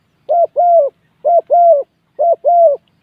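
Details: A spotted dove on a ground arena delivers repeated two-part coos in a decoy contest, each a short note then a longer wavering one, three pairs about a second apart, loud and clean against silence.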